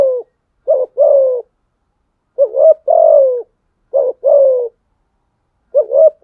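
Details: Spotted dove performing its fighting coo to draw in wild males: phrases of a quick stuttered note then a longer rough coo that droops at the end, repeated about every one and a half seconds.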